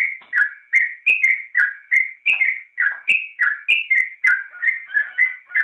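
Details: Yellow-vented bulbul in lively gacor song, a recording for training caged songbirds: quick, rolling whistled phrases, some notes sliding upward and others dropping, packed closely together without pause.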